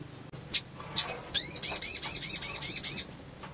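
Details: Female sunbird in breeding condition calling to stimulate males. Two sharp high chips open a quick chain of about nine thin, looping high notes, evenly spaced and bright.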